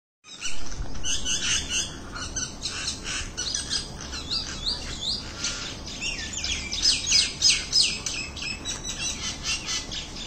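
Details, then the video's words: A myna talking, chattering in a steady stream of harsh, squeaky and whistled notes, several each second, over a low background rumble. "Bird sound | myna | bird's talking"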